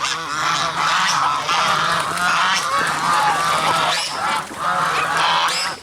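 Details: Geese honk continuously in loud, nasal, overlapping calls, several birds at once, with a brief lull near the end; goose recorded alongside a black swan.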